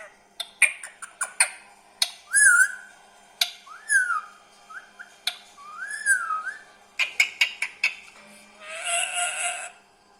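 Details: Talking green parrot kept as a pet: sharp clicks and snaps mixed with looping, wavering whistles, then a final burst of hissing noise.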